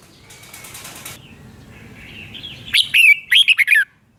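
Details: Red-whiskered bulbul, its song meant for coaching caged birds or trapping: a brief flutter of wings, a thin drawn-out note, then a burst of loud, lilting, whistled syllables.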